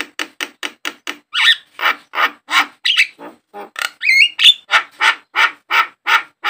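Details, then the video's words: Javan myna song played as a lure to get caged mynas singing: a rapid run of harsh, buzzy chattering notes, several per second, broken by a few higher twisting whistled phrases. "pancingan, pikat burung jalak kebo, mustahil kalau tidak ikut gacor burung jalak anda"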